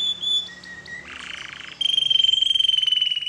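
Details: Canary singing as a lure to set other canaries singing: thin steady whistles, a buzzy rattling phrase, then a rapid even trill on one high pitch.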